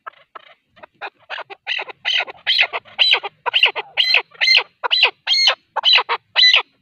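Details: Male partridge calling, a recording meant for hunting: soft clucks build into louder, sharper chuck notes about twice a second, growing stronger and higher as the series goes on.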